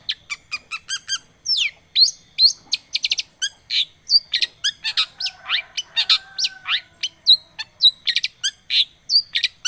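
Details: Long-tailed shrike, or cendet, in lure song meant to rouse a quiet shrike into singing: a long, dense, hurried medley of sharp chirps, trills, slurred whistles and scratchy notes, almost without pause.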